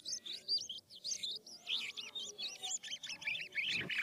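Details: Philippine Asian glossy starling pouring out a lively, varied rolling song to lure other starlings to answer, with a fast chain of high, zigzagging whistles and a brief low thump near the end.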